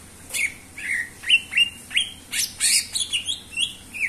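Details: Greater green leafbird singing persistently, as a lure to trigger other birds. Quick, varied whistles, some rising and some falling, mix with harsh squawky notes in a lively, nonstop sequence.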